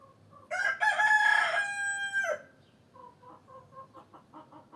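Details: Rooster crowing, a loud harmonic-rich cock-a-doodle-doo lasting nearly two seconds and ending in a falling note, followed by soft rapid hen clucking repeated several times a second.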